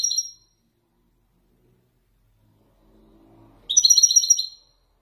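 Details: Male Widani European goldfinch being prepared for singing gives Marrakech-style descending phrases: a brief high twittering phrase, then after a pause a rapid run of bright, tinkling notes, with faint low murmuring between.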